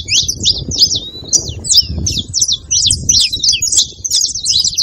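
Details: Saffron finch song played to warm up a silent canary: rapid, energetic high chirps and short downward sweeps in close clusters, with a noticeable low rumble behind them.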